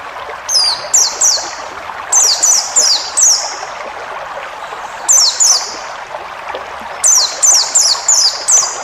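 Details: White-eye, forest-style song for training caged birds: groups of three to five high, swiftly falling whistles repeated every couple of seconds, over a rushing, stream-like background.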